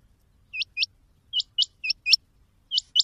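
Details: A rain quail (Coturnix coromandelica) gives sharp, high, metallic notes in quick pairs, 'which-which', each pair repeated about every half second, with no other sounds.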